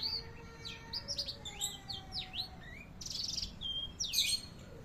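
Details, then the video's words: Indonesian canary tutor song mixing sweet sliding whistles, rapid buzzy trills and sharp chips in fast changing phrases, with faint steady tones beneath. "Masteran handal sanger"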